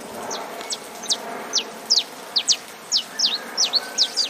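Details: Saffron finch song from Brazil, heard with rain: a series of sharp, high descending chip notes, about a dozen in quick irregular succession, over a steady hiss of rainfall.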